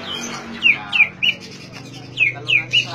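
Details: Oriental magpie-robin song played to coax silent magpie-robins to sing: short, clear, downslurred whistles repeated at uneven intervals, about six notes in three seconds, over a low steady hum.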